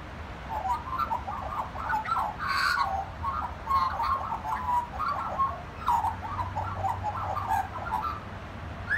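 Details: Magpie singing at a family home, rich warbling phrases of short gurgled and fluted notes, with a brief harsh burst near the middle and low rumble underneath.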